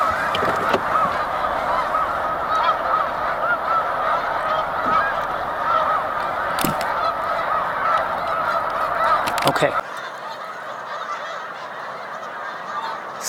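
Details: A massed chorus of Snow Geese at a spring migration stopover, Cayuga Lake, New York, 20 March 2021: rapid overlapping honks for about ten seconds, then the din drops abruptly to a quieter, more distant hum of calling.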